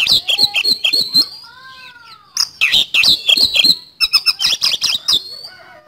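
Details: White-rumped shama pouring out fast song, clusters of sharp whistled chips and rattles broken by short pauses, with a faint lower whistle in the background.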